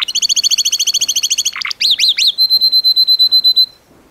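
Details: Gloster canary singing a rapid series of high, evenly repeated notes, then a few swooping slurred phrases, ending on a long run of sharp, steady, ringing notes.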